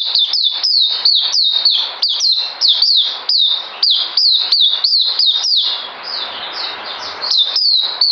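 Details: Songbird on 9 December 2018 delivering quick, high, descending whistles in a rhythmic stream, which briefly softens into a quieter warble near the end before resuming.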